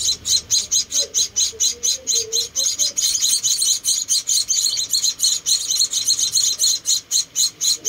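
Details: Hand-fed munia chicks, one of four rescued nestlings, give steady high, sibilant cheeps in an even, rapid pulse, about two a second, with a faint low murmur early on.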